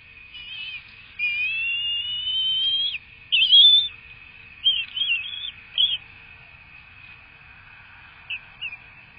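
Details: Bald eagles at a Florida nest during a feeding on 5 March 2024: thin high whistled notes glide upward and are held, then come short chittering bursts and a few faint peeps, over a steady electronic hum.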